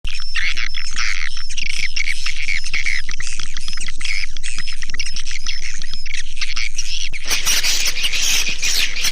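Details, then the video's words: Swiftlet lure call used to attract swiftlets: dense high chirps and twitters, steadily repeated, over a regular ticking pulse about four times a second; a harsh broadband hiss takes over in the last two seconds. "Suara panggil burung walet"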